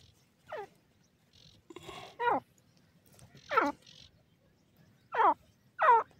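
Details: Grey francolin, known as teetar, giving harsh, downward-sweeping calls rich in overtones; five loud notes come at irregular intervals roughly one second apart, with a faint low rumble and softer sounds between them.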